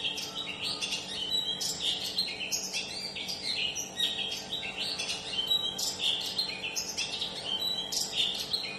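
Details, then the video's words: Used to prompt a Long-tailed shrike that is reluctant to sing or stressed, this long run of song mixes rapid chirps, short whistles and harsh notes without pause, backed by a constant low hum. "pancingan burung pentet yang susah bunyi atau stres dengerin ini langsung nyaut gacor"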